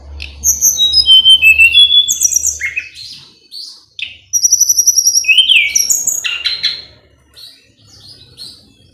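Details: Hill blue flycatcher (tledekan gunung) singing at full power to provoke a rival into answering: high, thin whistled notes and buzzy trills, some falling and some rising, in two bursts separated by a short pause, over a faint low hum.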